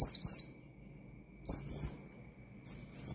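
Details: Oriental white-eye singing a lively 'ngalas' style, shooting notes that call out rivals and provoke other white-eyes; three short bursts of very high, thin, downslurred buzzy sweeps, with faint low taps beneath.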